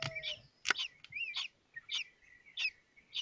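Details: Common kestrel young at the nest in Théding, 19 May 2024, while a fifth chick hatches and its siblings take their meal: high squeaky chirps about twice a second, with bending whistled notes between them.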